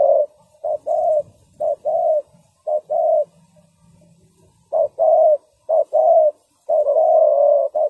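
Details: Decoy spotted dove calling to lure wild doves into a ground trap: mellow low coos in short and long notes, a pause midway, then a faster run ending in a long sustained coo.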